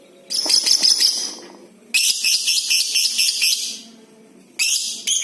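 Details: Lovebird chatter for prompting all kinds of lovebirds: a scratchy, pulsing high burst, then a longer run of rapid rasping notes lasting about two seconds, and a final short screech.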